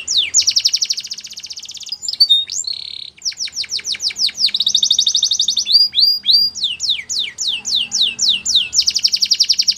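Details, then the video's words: Canary song: rapid trills of repeated high notes alternating with runs of rising and falling sweeping whistles, phrases changing every second or two, continuous and loud throughout, with no other sounds. "Canary Singing Most Beautiful Song Bird"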